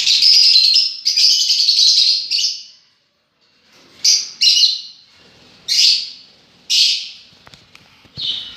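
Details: A long continuous harsh screeching chatter from lovebirds breaks off, then resumes as separate shrill, grating squawks spaced about a second apart, with a few faint clicks.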